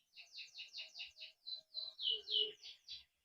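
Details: Canary singing to prompt other canaries: a steady series of about a dozen paired, slightly buzzy chirped notes, evenly spaced and rising to louder syllables near the end, recorded fairly quietly.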